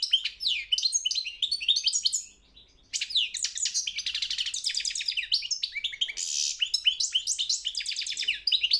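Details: European goldfinch competing at a world championship song event, delivering dense, fast twittering song with tinkling notes and a buzzy rattle, interrupted once by a short pause.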